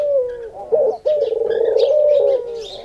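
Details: Singing dove, locally called khumra, said to call every day at prayer time: a loud, low, drawn-out wavering coo broken by a short catch, heard as "Haq Allah Hoo", with faint chirps of other birds behind.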